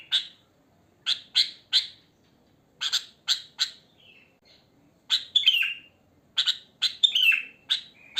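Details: Sooty-headed bulbul singing naturally in the wild, without inserted phrases. Spaced triplets of loud chirps alternate with quiet gaps and soft short whistles. Later, louder downslurred warbled phrases follow.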